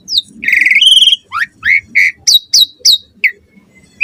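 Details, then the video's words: Asian pied starling in lively morning song, used to prompt other starlings to sing: a long rattling buzzy phrase, then rising whistled slurs and a quick series of high down-sweeping chirps, about three per second. "Suara Jalak Suren Gacor Ampuh & Efektif Pagi Hari Buat Pancingan Burung Jalak Agar Gacor Full Isian"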